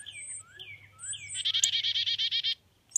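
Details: Northern cardinal babies being fed in the nest: a few slurred, thin notes, then a loud, rapid buzzy trill of about a dozen pulses lasting one second, followed by a sharp tick.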